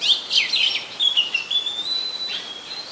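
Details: Oriental magpie-robin in Ubon Ratchathani, Thailand, 24 December 2020, a very common resident; quick jumbled chirps open into a long, level, pure whistle that wavers slightly before fading.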